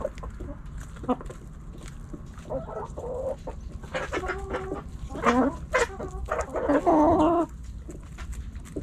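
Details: Backyard hens and roosters pecking and scratching; hens cluck in short harmonic bursts that build toward a louder, longer squawking series near the end, with scratching clicks throughout.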